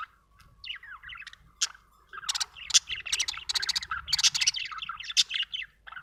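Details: Budgerigar chirping, opening with a few clear whistled slurred notes, then a rapid, continuous warbling chatter of buzzy, grating syllables and squeaky chirps.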